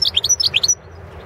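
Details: Balkan European goldfinch recorded for the 2016 world song championship; a short burst of about eight bright, high chirping notes in quick succession, then quiet.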